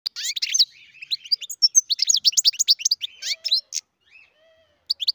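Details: Captive-bred European goldfinch singing: rapid tinkling, twittering phrases of short high chirps and buzzy notes, bursts separated by brief pauses, with a couple of faint lower whistles near the end.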